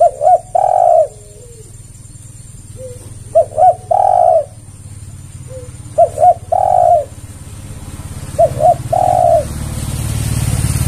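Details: Spotted dove lure call used to draw a response from other doves: deep mellow cooing phrases, each two short coos run into a long drawn-out coo, repeated three times with pauses, plus a low hum behind.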